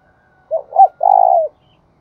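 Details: Spotted dove decoy bird giving its coo to attract wild doves: a short note, a rising-falling second note, then a long vibrating, buzzy coo that tapers downward. The background is quiet.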